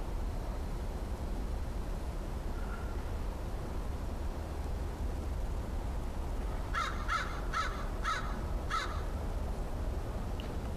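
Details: A visiting crow, the last crow friend of the year, recorded on October 13, 2013 and sounding cautious, gives five harsh caws in quick succession after a long stretch of low background rumble.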